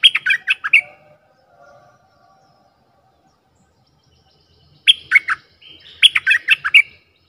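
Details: Bulbul calls used as a lure for wild birds: a burst of rapid bubbly chatter, a long quiet gap, then two more chattering bursts with a short whistled lead-in.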